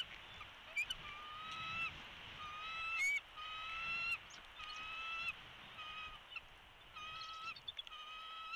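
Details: Wild bald eagle calling from its nest in Big Bear Valley on a live nest camera, midday 13 March 2022, with a young chick present: repeated high, squealing whistled notes about once a second, each slightly rising, with faint clicks between.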